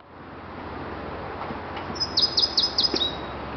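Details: A male Indigo Bunting sings in McKinney, Texas, on 22 May 2017: a quick burst of five high, sweet repeated notes, then a brief falling tail, over steady hiss.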